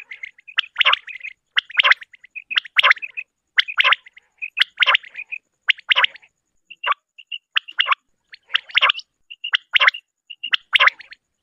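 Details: Common quail hunting call recorded for morning shikar: rough, buzzy bursts repeated about every second, each trailed by two or three short piping notes, steady but slightly uneven rhythm over a quiet background.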